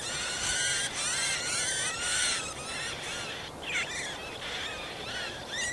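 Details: Marsh warbler at a nest while feeding chicks, Kalinovsky forest park, Yekaterinburg, 30 June 2020; nest hung among nettle or shrub stems away from water. Dense run of harsh, scratchy chattering bursts with a few thin whistled notes near the end.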